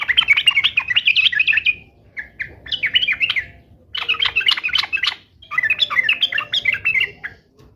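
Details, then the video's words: Song of a sooty-headed bulbul, used to prompt caged bulbuls to answer: four bursts of lively, chattering, warbled phrases, each lasting one to two seconds and separated by brief pauses. "SUARA KESUKAAN TRUCUK ❗ trucukan gacor SATU INI ahlinya JADIKAN burung trucuk gacor NYAUT SEKETIKA"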